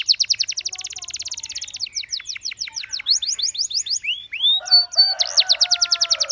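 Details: Canary song meant to get other canaries singing, opening with a rapid steady trill of high notes, then sliding downward strokes, brief whistled upsweeps and a closing burst of fast repeated notes over a lower warble.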